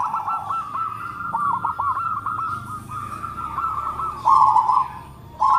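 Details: Local zebra dove with a big voice and close notes: an almost unbroken stream of rapid, evenly repeated cooing notes at one pitch, swelling into a loud rolled coo near the end.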